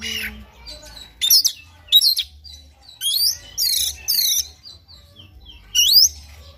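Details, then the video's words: Morning song of an Oriental magpie-robin, used to prompt another bird into full song; bright high whistled notes and quick swooping slurs in short separate bursts, some phrases repeated in a chain, over a low steady hum. "PANCINGAN KACER PAGI HARI AGAR NGOTOT NGEPLAY BONGKAR ISIAN"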